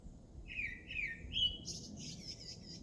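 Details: A bird sings a brief phrase of three slurred whistles that climb slightly in pitch, followed by a softer, higher twittering trill.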